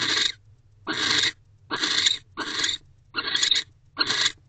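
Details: Barn owl pair in a nest box on a December night, the male back to mate and guard the door; slower, well-separated raspy hisses, roughly one per second, bright and breathy over a soft low rumble.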